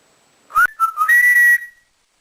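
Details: Whistling from a pet male African grey parrot indoors: a short rising chirp, two low wavering notes, then a long, level, pure whistle held for about half a second.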